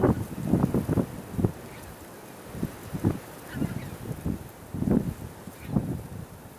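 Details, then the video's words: A small group of Tundra bean geese (Anser serrirostris) give low, nasal honks in quick, uneven bursts, several birds calling over one another; Texel, Holland, 28 December 2012. "bean geese"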